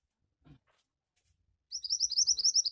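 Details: Quiet room sounds and a soft thump come first. Then a Javan white-eye launches into fast gacor song, a dense chain of very high, sweeping twitters that runs to the end of the clip.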